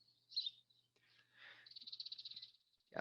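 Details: A House Sparrow in town in central Texas gives its fussy scold call: a high chirp, then a fast, dry, buzzy rattle of about a dozen notes. A faint low hum and a closing thump are also heard.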